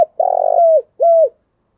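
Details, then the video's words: Closing part of a spotted dove's morning coo in thổ đặc voice: a long burred, pulsing coo that glides down, followed by a single steady hoot that falls at its end. No other sounds. "Tiếng chim cu gáy chiêu buổi sáng/ cu gáy giọng thổ đặc"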